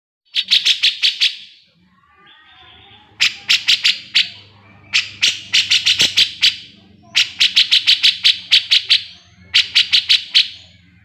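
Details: Grey-cheeked bulbul singing actively, a master recording for training cage birds: five loud bursts of rapid, harsh chattering notes, each about a second long, separated by short pauses, over a faint low hum.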